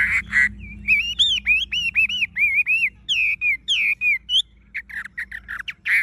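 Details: Chinese hwamei, a tame bird with yellow legs, bill and plumage, singing a steady chain of rich, curving whistled notes, each rising then dipping, with bursts of quick chirps at start and end.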